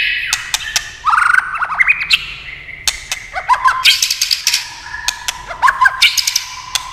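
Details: Singing white-rumped shama, prompted by tail-flicking clacks: a rich, varied run of whistled phrases, rapid twittering slurs and warbles with sudden pitch jumps. Loud wooden clicks break in repeatedly.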